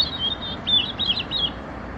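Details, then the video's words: European robin singing: thin, high warbled phrases, short twittering notes in quick clusters separated by brief pauses, over a soft low background hum. "Заря́нка лат. Erithacus rubecula"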